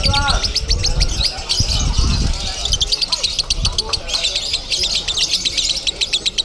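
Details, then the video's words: At a singing contest in Bandung, a lovebird delivers a long konslet run of quick, piercing chirps in rapid series, over low rumbling crowd noise and voices. "LOVEBIRD KONSLET CRAZY"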